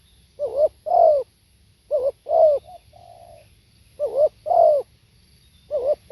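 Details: Spotted dove recorded live, giving low, husky cooing phrases in pairs, each double coo repeated about every two seconds, with a softer drawn-out note between phrases.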